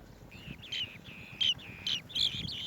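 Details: Swallow-tailed bee-eater bringing bees to feed its chicks: short, bright chirping calls in four separate bursts, each with a rising or falling note, spaced about half a second apart over a faint low background rumble.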